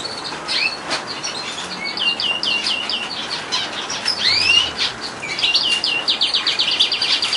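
A frill canary sings a bright run of rapid trills and chirps, with a few rising whistled notes partway through and a fast rolling trill at the end.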